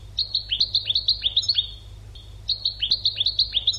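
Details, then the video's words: European goldfinch song for training birds: a rapid tinkling chain of bright, evenly paced notes, a brief pause, then the same quick twittering sequence resumes. "CD ekpedeutiko.karderina (educational goldfinch)"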